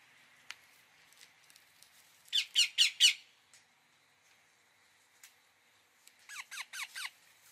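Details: Indian ringneck parakeet giving four harsh, clipped screeches in quick succession, then after a pause four short descending squeaky notes, with faint clicks between.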